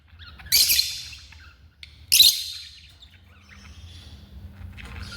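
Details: African lovebirds at home giving two loud, harsh screeches about a second and a half apart, followed by softer twittering chatter and a low steady hum.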